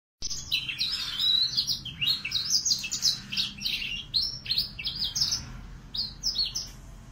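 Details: Young male Yorkshire canary, F1, learning to sing: a fast, varied twittering warble of high chirps and short trills in bursts, with a faint low hum behind.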